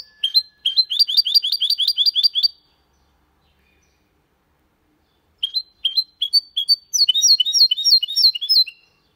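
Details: Goldfinch × canary hybrid in Málaga-style song, a rapid metallic trill of repeated high notes lasting two seconds, a pause, then spaced rising notes building into another fast twittering run.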